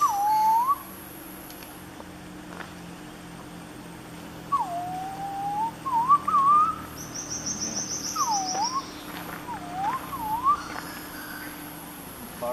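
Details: Purple-throated Fruitcrow in Panama, 2015, gives mellow, slurred whistles that dip then rise, in short bursts a few seconds apart; a brief buzzy high note sounds in between.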